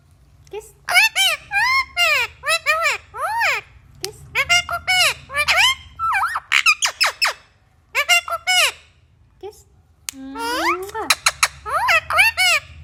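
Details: Indian ringneck parakeet talking in long runs of squeaky, nasal word-like syllables with arched, wavering pitch, separated by short pauses, ending in a louder rising squawk-like phrase.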